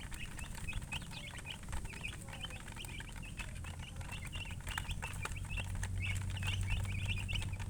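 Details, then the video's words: A flock of chicks chirping, bright short peeps repeated several times a second, over a low droning hum that grows louder toward the end. "Baby "Chicks Chirping" Sound"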